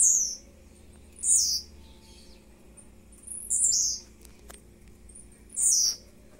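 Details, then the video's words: Blue-black grassquit, a kept bird recorded at ten fifty in the morning, repeats short high buzzy down-slurred phrases about every two seconds, four in all, with a low mechanical hum behind. "TIZIU LUXO TOP ASSIM COMO VC NUNCA SHOW SEUS CANTOS"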